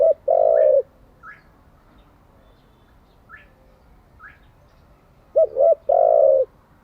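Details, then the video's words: A spotted dove, recorded for training decoy and wild-caught doves, ends one long coo, then stays quiet while faint short chirps sound. Then a full phrase follows: a doubled note and a sustained low coo. "Tiếng chim cu gáy mới nhất, dùng luyện chim gáy bổi và mồi hàng ngày"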